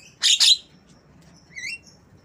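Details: Black-winged myna mimicking a lovebird for use as a training recording for cage birds; a loud doubled screech opens, followed after a pause by a soft, thin upward-sliding whistle.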